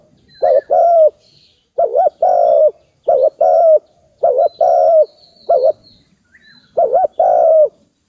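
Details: Repeated dove coos over eight seconds: about six phrases, each a brief hollow note then a longer sustained coo, some with a small rising lilt, in a regular rhythm with short pauses between.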